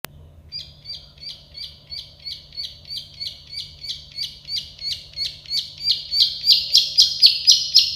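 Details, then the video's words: Plain prinia, locally called prenjak sawah or klik-klik bird, in a tutor recording for training birds: a steady series of short buzzy notes about four per second, growing louder toward the end, over a faint low hum. "Masteran burung prenjak sawah klik-klik"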